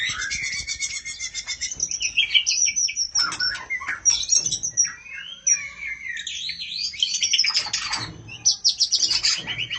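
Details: A female oriental magpie-robin calls for the male with high, varied phrases: quick buzzy trills, thin sustained whistles and sharp upslurred and downslurred notes, delivered in irregular bursts with short gaps.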